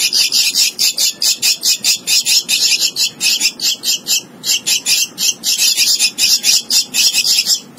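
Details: Young hand-raised Javan myna in captivity, known locally as jalak kebo lolohan, delivering long bursts of rasping, hissy squawks at a quick even pace, with short breaks between bursts.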